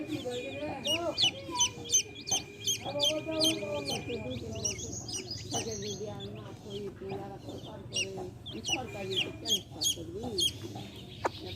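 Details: Baby chicks beside their hen chirp in dense runs of high, falling peeps, nearly three a second, over a steady low clucking murmur from the hen.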